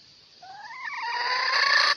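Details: A Red junglefowl, used as a lure to trap males, gives a single short crow: a wavering harmonic start that rises and turns into a harsh, clipped ending after about a second and a half.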